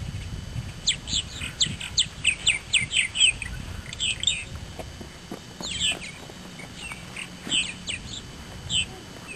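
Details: Purple martins at a small colony in southeastern Indiana, building nests in early May at mid-morning, give rapid, gurgling chirps and rich warbled notes, several birds calling over one another, with low background rumble.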